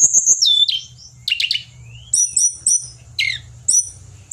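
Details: Pied bushchat kept in Indonesia, singing high sliding whistles and clipped double notes, with repeated short phrases at roughly half-second intervals.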